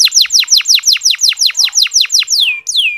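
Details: Canary singing soft ngeriwik phrases to prompt less eager males to sing: a regular string of about a dozen falling chirps, roughly four per second, ending in two long sliding whistles.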